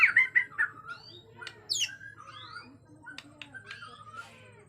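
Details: Agitated Bornean white-rumped shama, with natural forest sound: loud harsh buzzy notes open, then a varied run of quick rising and falling whistles, sharp high clicks and slurred phrases that gradually grow quieter over a low background hum.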